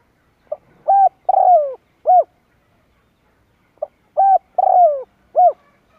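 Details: Lure call of a spotted dove for bird trapping, two cooing phrases of four notes each, the third note longer and sliding downward, separated by a short silence.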